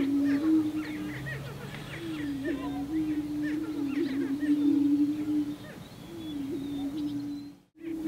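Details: Male greater prairie-chickens on a spring lek (booming ground), displaying and defending territories in mating ritual; booms carry over a mile: chorus of low hollow overlapping moans broken by sharp higher cackles and whoops.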